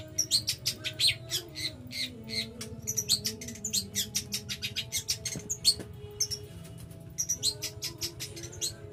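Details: Long-tailed shrike from East Java in full, energetic song, a dense run of sharp, high clicky notes and short chirps in fast irregular bursts, with a soft low hum and tones underneath.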